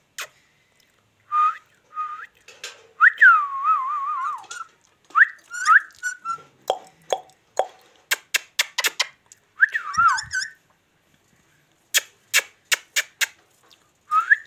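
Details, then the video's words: Pet parrot whistling: clear tonal whistles with wavering, rising and falling notes, interspersed with sharp clicks and short bursts, separated by brief silences. "king parrot talking sweet"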